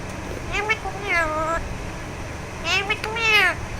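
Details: An Alexandrine parakeet, a talking parrot, being massaged, utters two pairs of rich, drawn-out, voice-like notes that bend up and down, separated by a quiet pause, over low steady background noise.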